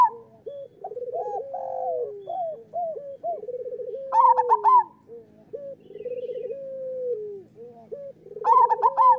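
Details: Local zebra doves singing, recorded as master song to train doves and prompt quiet birds to sing: rolling staccato cooing phrases, short stuttered notes dropping in pitch, with two louder, higher trilled coo bursts from overlapping birds.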